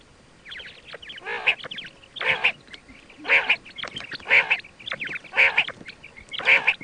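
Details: Quail voice for hunting use: a steady series of rough, harmonically rich bursts about once a second, with thin high chirps between them.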